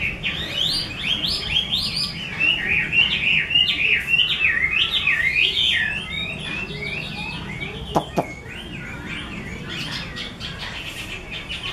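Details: Chinese hwamei in a cage, belonging to a skilled keeper, delivering a rapid, rich song of zigzagging whistles and quick trills, about 200 notes a minute, with a sharp click near the end and a faint low hum behind.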